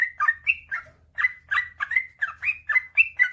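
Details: Yellow-vented bulbul (trucukan) pouring out a fast 'ropel panjang' song to prompt silent birds into singing: about a dozen gurgling, liquid whistles in quick succession, alternately rising and dropping, with a quiet low hum.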